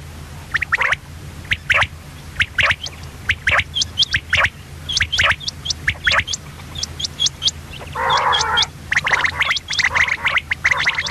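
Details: Female common quail giving quick, sharp chirps and clicks in irregular bursts. A brief rougher, buzzy note comes near the middle, and a low mechanical hum runs throughout.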